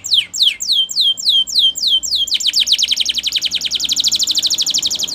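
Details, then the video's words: Canary training song in Spanish Timbrado style: a series of loud, slow, downward-sweeping whistled notes about four per second, then shifting to a fast, rapid trill of short repeated notes for the rest. "Make Your Canary Singing Again"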